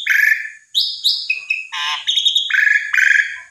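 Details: Asian pied starling singing to stir a silent bird into reply, a mix of buzzy harmonic notes, sharp upslurs and flat whistled phrases delivered in quick succession.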